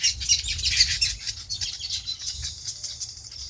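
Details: On a farm, a flock of birds keeps up a steady stream of high, rapid chirps and twitters. Faint low rumble underneath.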